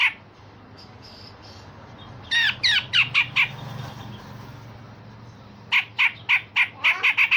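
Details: Grey-cheeked bulbul song in the rough rasping 'besetan kasar' and sharp 'tembakan tajam' style, played to train other songbirds: two bursts of harsh, rapidly repeated buzzy notes, five then eight, separated by a quiet gap.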